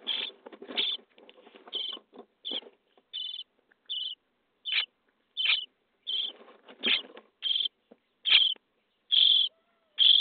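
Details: Day 23 in the nest box, common starling nestlings being fed: rustling and scratching at first, then separate hoarse begging rasps roughly every second, growing a little louder toward the end.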